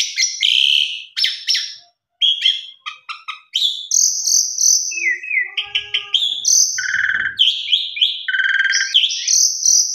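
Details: Asian pied starling singing energetically with a rich fill-in repertoire, meant to prompt quiet starlings to sing: rapid, varied chatter of clicks, high buzzy notes and sustained whistles, with a short series of stacked tonal notes midway.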